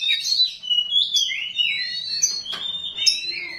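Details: Oriental magpie-robin (kacer rawit) giving long, smooth whistled slurs, some rising and some falling, mixed with a few sharp clicks and brief chatter.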